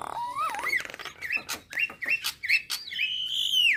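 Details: Nias hill myna song, said to make other starlings start singing: a varied run of clear whistles, first rising and wavering, then short slurred notes and sharp chips, ending in a long high whistle that slides steeply down.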